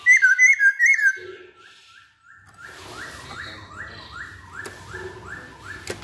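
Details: Masked laughingthrush, called poksay Hongkong, opening with loud rapid zigzag whistles, then a quieter series of evenly repeated hooked notes, roughly two per second, over faint background noise and occasional clicks.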